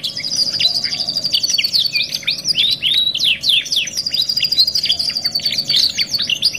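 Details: Canary song in a 2-in-1 masteran therapy recording, mixing looping whistled swoops with sustained high buzzy rolls and quick chip bursts, delivered without pause against a faint background hum.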